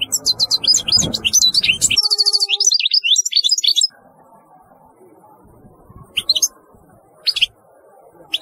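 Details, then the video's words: European goldfinch singing a rapid, bubbling stream of high twitters for nearly four seconds, briefly joined by a steady tonal hum, then a few scattered chirps. "تغريد رهيب للحسون"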